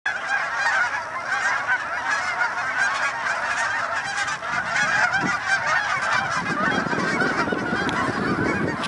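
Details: Large flock of Canada geese crowding Denver, Colorado: a dense, continuous chorus of overlapping nasal honks from many birds at once, with a faint low rumble entering near the end.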